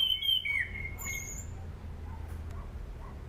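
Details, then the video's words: Anis cendana thrush, as a bird-training lure: a bright falling whistle opening the clip, then faint spaced soft notes over quiet background hum. "SUARA ASLI ANIS CENDANA ..COCOK UTK PANCINGAN AM,AK DAN AC"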